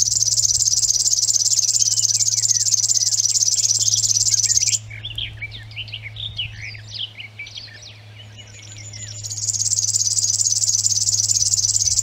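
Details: River warbler singing at Zvārde: a dry, mechanical, insect-like buzz of rapid pulses, pausing for about four seconds while other birds chirp and twitter, then resuming steadily.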